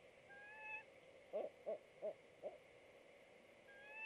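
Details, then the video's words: Male and female barred owls vocalizing at a nestbox 30 feet up a pignut hickory in a wooded backyard, 6 March 2019: four short, mellow hoots in quick succession, faint whistled birdsong before and after. "Male and Female Barred Owls Vocalize at Nestbox"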